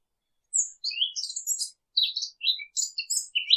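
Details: Wild birds chirping: a lively run of short, high, sweeping chirps and twitters, some scratchy, in quick bursts separated by brief pauses, with no other sounds.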